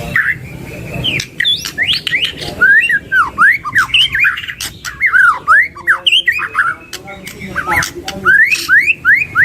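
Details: Two white-rumped shamas singing loud varied fillers: repeated V-shaped whistled slurs, sharp rising notes and chattering bursts in rhythmic phrases, in a small indoor-sounding space.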